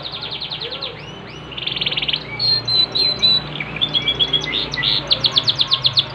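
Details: Singing Yorkshire canary delivering a rapid trill, then ringing whistled notes, a series of loud rhythmic chops, and a fast pulsed rattle at the end. A quiet low hum lies beneath.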